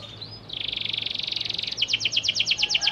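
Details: Panda canary singing to lure silent canaries into replying: a quiet start, then a long buzzy high trill followed by a series of sharp repeated chip-like notes, roughly five a second.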